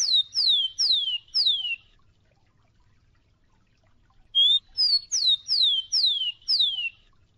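Rufous-collared Sparrow giving high, clear down-slurred whistles: four in quick succession, a pause of over two seconds, then six more, about three per second.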